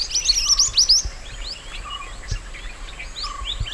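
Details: Mountain white-eye recorded wild as a master song: an opening run of fast, bright, sliding chirps, then sparser high notes and a lower level whistle repeating about every second.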